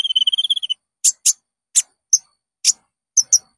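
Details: Olive-backed sunbird (konin) lure song for training caged birds. A brief rapid buzzy trill, then about seven well-spaced, very high, sharp chips.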